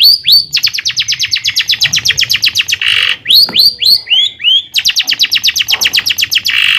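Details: Long-tailed shrike song for exciting other shrikes: long fast trills of sharp downward whistled notes, about four a second, interrupted by harsh buzzes and a few hooked whistles.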